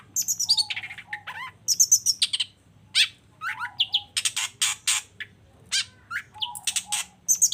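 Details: Varied, busy song of a long-tailed shrike used to excite a quiet bird into singing: shrill high whistles, slurred notes, grating buzzy bursts and repeated chattering phrases with brief pauses.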